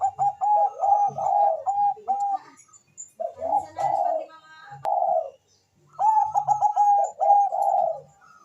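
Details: Fast-calling zebra dove answered by a rival, suited as a lure: long runs of quick, tremulous staccato coos in three bursts separated by brief gaps, with a sharp click near the middle.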